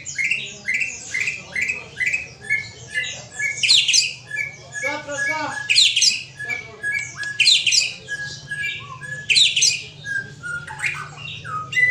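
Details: Aceh-type white-rumped shama, kept with another bird, repeating short whistled notes in steady series, broken by loud rich bursts of fast, high, tumbling phrases every second or two, over a soft hum.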